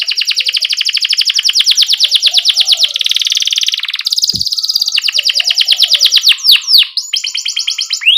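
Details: Singing canary used as a master tutor for young birds still learning to sing; a long rapid buzzy trill of repeated notes rolls on for seconds, broken by brief rattles and a few sharp descending chirps near the end.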